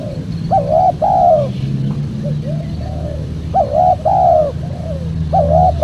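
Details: Spotted dove cooing, used as a lure to call in wild birds for trapping. Mellow, hollow coos come in paired phrases, each a short note followed by a longer, wavering one. The phrases repeat about every one and a half seconds over a steady low rumble.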